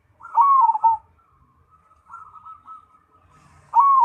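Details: Zebra dove, Cemani variety, singing briskly: a strong, rolling, descending trill, a quieter stretch of soft level purring coos, then the loud trilled phrase beginning again.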